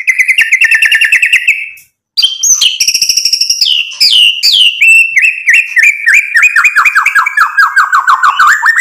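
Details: White-rumped shama song played as a lure to make other birds answer: a long mimicking medley of rapid chattering trills, bright whistled notes and buzzy rattles, broken by a brief silence, delivered loud and continuous.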